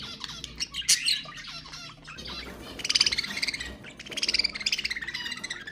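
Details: Caged pet budgies in chattering song meant to encourage other budgies to sing; scratchy clicks and squawks give way to rapid, rhythmic buzzy trills and twittering warbles, with overlapping birds.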